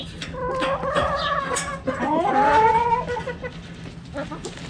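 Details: Backyard chickens while playing cabbage volleyball: a mix of short clucks and drawn-out, wavering squawks sliding downward, several birds calling over a low steady hum.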